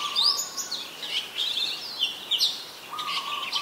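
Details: Adult red-whiskered bulbul recorded in Ubon Ratchathani, Thailand, on 3 January 2021: bright whistled warbling phrases with quick rising and falling notes, plus a steady low whistle from another source near the start and end.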